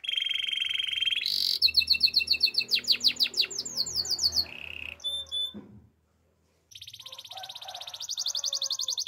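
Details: Belgian canary song at morning: a steady buzzy trill, then a burst of fast high repeated notes and a short lower trill. The song breaks off into silence, then resumes as a high rattling trill over soft background murmur.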